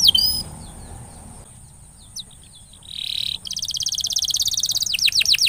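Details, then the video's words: Canary song played as a lure to coax a silent canary into singing: a brief chirp opens, then near-silence with low hum, a short buzzy burst, and a rapid, steady high trill of repeated notes closing with sweeping slurs. "paling jitu memancing kenari macet jadi lebih rajin bunyi ( pancingan kenari)"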